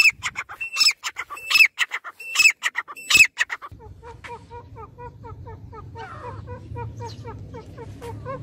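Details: Grey francolin (dakhni teetar) giving a run of four sharp whistled notes about a second apart, then a fainter series of quick, lower chirping notes from another bird continuing over a soft background hum.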